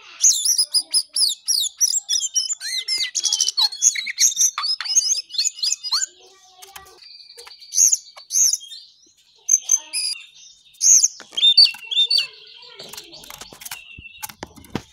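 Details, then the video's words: Lively jongkangan song: about six seconds of dense, rapid high whistles and chirps, followed by sparser squeaky phrases and scattered sharp clicks. "Jongkangan/Cingcoang coklat paling gacor"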